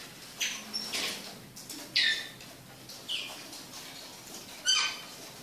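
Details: Young red siskin, a chick, singing: scattered short chirps and bright buzzy notes around the upper register, separated by pauses of about a second, against a faint steady background hum.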